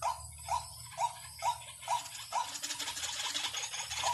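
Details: Waterhen lure sound: six clipped, nasal notes spaced about half a second apart open the recording, then a broad hissing noise takes over and the calling fades into it.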